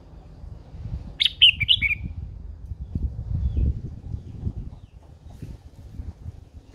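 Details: Old wild-caught female red-whiskered bulbul kept as a cage bird to spur males, giving a short burst of four sharp chirping notes early on, followed by rustling and low thumping noises.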